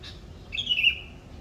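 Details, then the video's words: A single clear whistled note from a bird in the Indonesian morning, starting high and gliding down with a slight warble, preceded by a faint chirp. "morning bird sound"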